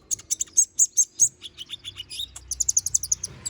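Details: Konin bird in lively full song, used as training song for magpie-robins: fast series of sharp high chirps, then a run of lower descending notes, then rapid high chirps again, about two or three per second.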